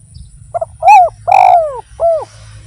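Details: Spotted dove calling, played to encourage other doves to join in: a soft opening note, then three full, hollow coos, the longest one descending steadily before a shorter curved closing note.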